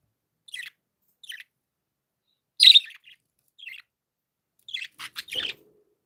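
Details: Joyful pet budgies giving short, scratchy chirps at irregular intervals, one louder harsh note in the middle, then a quick cluster of rasping chirps near the end.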